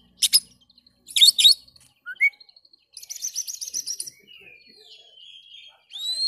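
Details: Oriental magpie-robin song described as vigorous and continuous, used to coax silent birds into singing: high rattling bursts and buzzy trills, a short upslurred whistle, then a fading thin whistle and a final rising note, with gaps between phrases.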